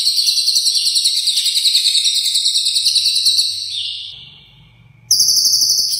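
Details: Long Cililin-style ngekek from a lovebird, meant for training contest birds: rapid high chattering trill that fades out after about four seconds, a quiet gap with faint hum, then the trill bursts back in.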